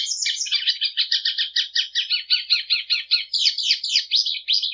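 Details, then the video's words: Plumbeous seedeater giving its song in a clean recording: a lively, rapid chatter of closely packed notes that ends in a set of high, sweeping slurred phrases. "Canto da patativa"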